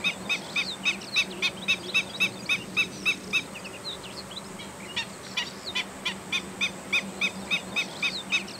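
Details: Black-winged stilt calling, a sound described as uttered when alarmed and flying off: sharp, squeaky piping kek notes repeated steadily about three or four per second, with a few softer chirps between them and a faint background hum.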